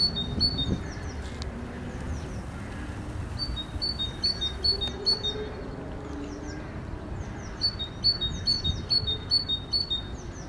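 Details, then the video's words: Great tit singing a steady string of sharp two-note phrases, high note then lower note, in repeated bursts, with thin high chirps from other birds scattered above and a low outdoor hum. "Sikorka Bogatka i jej piękny śpiew"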